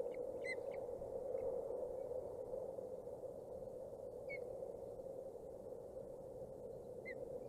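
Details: Nest-camera recording from Boulder County, 14 June 2019: osprey chicks aged 27 and 29 days give sparse sharp high chirps, a quick cluster at the start, then single peeps after long pauses, against constant low rushing noise.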